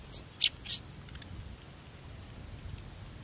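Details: Sudan golden sparrow during feeding: a burst of three loud, very high, sharp chirps in the first second, followed by a series of fainter thin chirps repeated at short, fairly even intervals over low background rumble.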